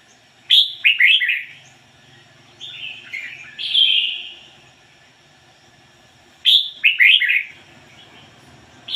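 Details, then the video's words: A red-whiskered bulbul, kept as a lure bird, sings bright, bubbly whistled phrases of quick rising and falling notes, pausing a few seconds between bursts, over faint background hum. "chim chào mào mồi hót ngoi bổi giọng chuẩn"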